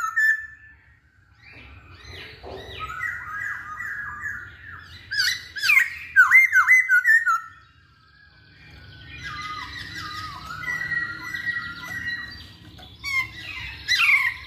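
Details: Energetic masked laughingthrush song for provoking other birds: mixed whistles and buzzy notes, a loud burst of wavering, slurred phrases midway, then softer rattling chatter and a final sharp squeal, over low background hum.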